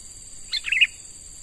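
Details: Young wild-caught sooty-headed bulbul, being trained as a lure bird: one brief, bright chattering phrase of a few quick high notes, over a steady high electrical whine.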